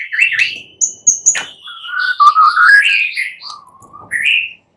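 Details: White-rumped shama at night: long, clear, fluting whistles that slide upward, mixed with high thin notes and a few sharp clicks.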